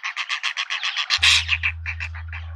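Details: Hornbill family, a juvenile with both parents, in a garden in suburban Pretoria, South Africa: quick, evenly repeated, buzzy piping notes, about five per second, then a louder burst, with a low steady hum in the background.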